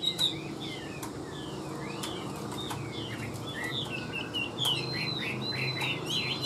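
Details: Tame caged Chinese hwamei giving a softer, varied whistled song of quick slurred notes and short trills, with a few sharp clicks and a constant low hum.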